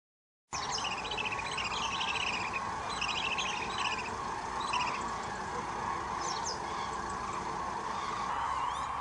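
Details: A large wintering flock of common cranes in the Hula Valley wetlands makes a steady massed din of calls throughout, with quick chirping notes from smaller birds breaking in above.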